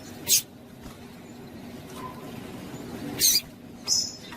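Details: Female Double-collared Seedeater (Sporophila caerulescens) calling, played to stimulate males: three brief, sharp, high chips, spaced irregularly over a few seconds against a faint, steady background hiss.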